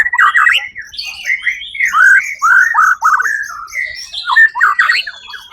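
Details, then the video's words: Loud, clear song of a white-rumped shama that won a songbird contest on 1 October 2023: rich whistled phrases in rising and falling slurs, delivered in short bursts with crisp high accents. "murai batu predator juara 1 di ivent Suara Agung 1 okt 2023"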